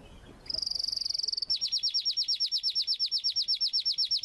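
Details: Pet crested canaries (Abu Shusha type) singing while a group mates together: a short buzzy steady trill, then a fast run of bright repeated downward-sweeping notes, about six per second.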